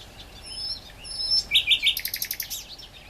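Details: Great reed warbler song: two high, thin whistles, then a rhythmic series of loud, harsh repeated notes, about three per second, slowing as they fade.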